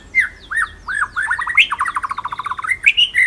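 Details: Rolling 'ngeroll nembak' master song of a white-rumped shama for bird training: looping whistled phrases, then a quick stuttering series of rich mid-pitched notes, closing with bright whistles.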